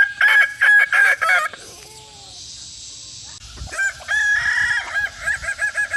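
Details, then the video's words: Kukuak Balenggek rooster crowing: a rapid run of short stuttered notes, a pause with faint background sounds, then another long crow ending in quick repeated syllables. "Hobi Ternak Ayam Kukuak Balenggek, AKB (bagian II)"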